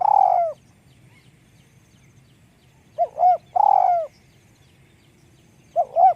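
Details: Spotted dove, described as small-voiced, sounds a long descending coo, then after a pause two brief coos and a drawn-out falling note, ending on two more short coos, over a calm, low background.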